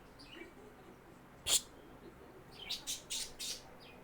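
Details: Pet male budgie just out of his cage after being coaxed through a new exit door; one sharp click, then a quick run of four short, high chirps indoors against a steady low hum.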